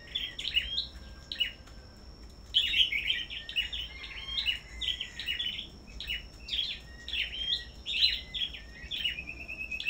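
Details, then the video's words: Black-throated bushtits duelling in song at a bird farm, a short phrase followed by a quieter gap, then almost nonstop high chirps and thin sliding whistles for the rest, over a steady high whine. "Sâu Đầu Đỏ Hót Đấu Đủ Loại"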